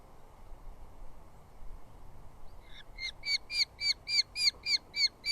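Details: At a southern UK nest, Eurasian hobby chicks squabble over moths delivered by the adult male; after quiet background hiss, shrill squealing notes begin and repeat rapidly and evenly, growing louder toward the end.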